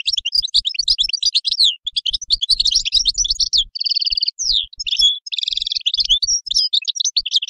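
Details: European goldfinch singing a rapid, continuous twittering song of high tinkling notes, buzzy trills and liquid chirps, with a few nasal buzzing phrases in the middle; no other sounds stand out.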